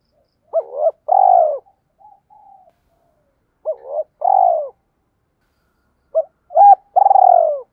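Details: Spotted dove lure call of male and female, used to provoke males into singing and fighting: three clean phrases, each a short gurgling note followed by a longer throaty, wavering coo, repeated about every three seconds in silence.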